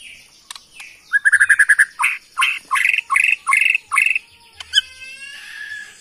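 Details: Bornean white-rumped shama, originally from Kalimantan forest, singing a fast series of rattling trills followed by loud, evenly spaced buzzy whistled notes about three per second, ending in softer high chatter.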